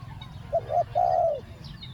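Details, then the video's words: Spotted dove used as a decoy to lure wild doves, cooing in the two-word khu-ang style: two short clipped coos, then one longer, steady, low hooting coo that falls slightly at the end. A faint low rumble lies beneath. "ต่อนกเจาใหญ่ เจ้าวุ่นวายเก็บเชลย คูอ่าง 2 คำ"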